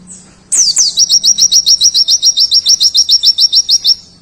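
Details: Oriental white-eye of the dakun type singing rapidly with rich fill notes: high descending sweeps open, then about eighteen short, sharp, upward-flicking chirps repeat quickly and evenly for three seconds, with a faint low hum beneath.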